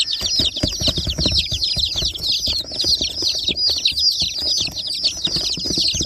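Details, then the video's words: A group of newly hatched, colourfully dyed baby chicks peeping constantly: high, sharp, downward-sliding cheeps repeating rapidly and overlapping, with scuffling and tapping underneath. "new baby chicks, beautiful chicks, rainbow chicken"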